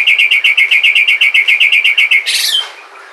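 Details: Sumatran white-rumped shama lure song used to get other shamas singing: a fast run of about fifteen identical clear chipping notes, evenly spaced, ending in a harsh, noisy rasping burst.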